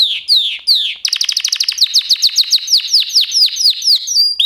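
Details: Singing canary opens with two sweeping downslurred whistles, then launches into a long run of quick sharp chirped notes, repeated several times a second with rolling, tumbling rhythm.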